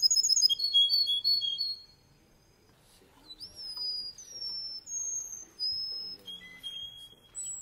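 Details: Russian canary male in song, opening with quick descending high whistles, then a pause, followed by a series of clear, drawn-out whistled notes stepping down in pitch with a brief upward slur.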